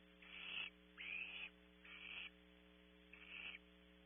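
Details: Nest-camera recording of a young barn owl at Audubon Starr Ranch, California: four rasping, hiss-like screeches, each about half a second long, with uneven gaps between them and a constant low mains hum beneath.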